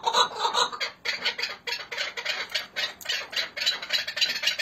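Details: Chukar partridges of Hakkari and Dersim, Turkey, calling in fast, rough chuck notes, about four a second, in an uneven rattling series.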